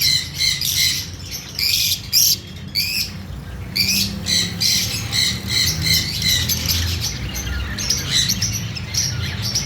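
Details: Fischer's lovebird chirping, repeated sharp high squeaky notes in quick bursts roughly every half second, fairly clear over a low background hum.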